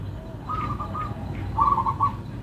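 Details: Local perkutut (zebra dove) with a gentle, melodious song: a short run of soft coo notes, a brief pause, then a slightly louder trilled phrase, against low rumbling background noise.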